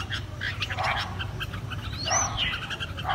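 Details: Caged red-whiskered bulbul (Pycnonotus jocosus) singing bright, chattering notes and one quick rising-then-falling whistle, over a steady low rumble with other birds chirping nearby.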